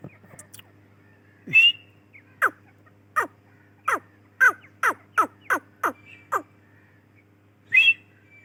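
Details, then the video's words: Female grey francolin delivering a series of sharp, downward-sweeping notes that speed up toward the middle, about ten in a row, then pause before one shrill call. "Teetar ki Awaz | Teetar ki Boli | Tetar Sound | Dakhni Teetar Awaz | Female Teetar voice"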